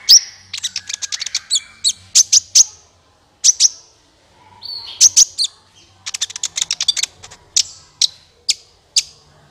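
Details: Olive-backed sunbird calls as a trapping lure: fast trills of very high clicking chips and bright tweets in several bursts, with short quiet gaps between them.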